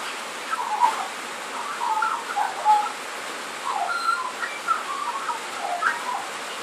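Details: Australian magpie sheltering from rain beneath a carport's tin roof, working through its repertoire: a rambling run of soft, gurgling, flute-like phrases with short pauses, partly masked by constant rain noise.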